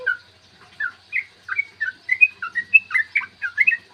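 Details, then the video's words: Lure song of a yellow-vented bulbul, long ropel style, to make birds vocal and agitated: starts sparse, then speeds into a lively stream of mellow, bouncing whistled notes. "trucukan gacor TARUNG ROPEL PANJANG pancingan trucukan agar BUNYI dan EMOSI"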